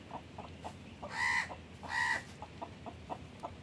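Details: Blackish hen with her newly hatched chicks: two loud, harmonic calls from the hen about a second apart, with soft short chick peeps scattered around them.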